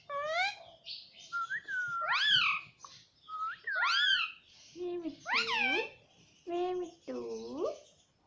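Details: A pet parrot known for saying "mummy" and "papa" gives strong rich arching calls mixed with thinner whistled notes, some dipping low and nasal near the end, in uneven bursts.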